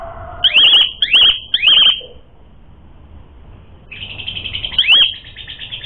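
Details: Asian pied starling in lively full song, played as a lure to rouse rivals to fight: three quick wavering whistled phrases with downward sweeps, a pause of low hiss, then a longer buzzy trill and one more phrase.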